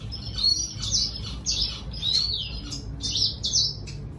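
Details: Red siskin singing to lure a female: a fast, lively twittering of sweeping and falling chirps, bursts of notes coming about every half second with a low background hum.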